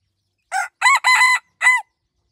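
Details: A pradu-coloured decoy rooster, a jungle fowl hybrid from Roi Et, crows in four quick harsh, ringing syllables, the middle two drawn out and level, with a short gap before the final note; nothing else is heard.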